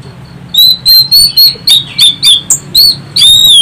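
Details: High, shrill repeated whistles from an Orange-headed thrush, used as a lure to make other birds sing: about nine sharp notes in quick succession, then a longer ringing whistled phrase.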